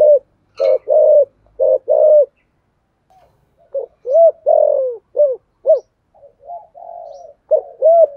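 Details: Spotted dove giving thúc gù cooing in the deep 'thổ' voice: low coo notes in short clusters, some clipped, others drawn out and falling, with brief gaps between phrases.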